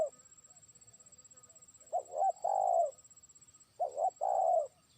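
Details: Spotted dove, a trained lure bird, calling out to a far-off rival. Two quick soft coos lead into a long throaty coo, and the phrase comes twice in close succession over a thin constant high-pitched hum.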